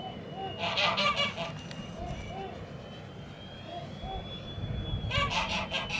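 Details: Young Toulouse geese from 2017, recorded on a farm in January 2018. There are two bursts of harsh, overlapping honks at the start and at the end, with soft calls between, over low rumbling background noise.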